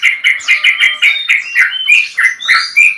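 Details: Male Yellow-vented Bulbul in a long 'ropel' song style, calling out to a rival: a rapid, bubbly run of short chirped notes, about two per second, with brief higher whistled slurs between them.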